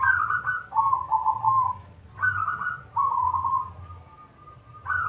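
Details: Local zebra dove in full, loud-voiced song, recorded for use as a lure to draw other birds into singing; a mellow, rolling coo is followed by a lower, vibrating trilled phrase, then the sequence repeats before ending on a long, steady held note.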